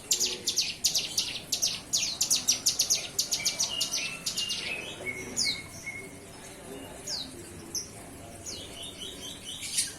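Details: Young captive bar-winged prinia, just weaned from hand-feeding, beginning to sing: rapid series of high, sharp chirps repeated about 87 times a minute, fading into a few thin, level whistles and sparse downslurred notes.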